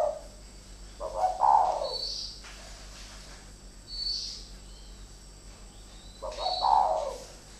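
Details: Decoy spotted doves, two birds fighting: sparse coo phrases, a rolling burst near the start and another near the end, with quiet stretches of background hiss and high chirps between.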